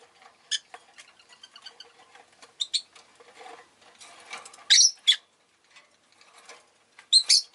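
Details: Pet rosy-faced lovebirds calling readily on a busy day: scattered soft chatter and ticks, then loud, harsh, high chirps in paired bursts near the middle and end, with light town noise beneath.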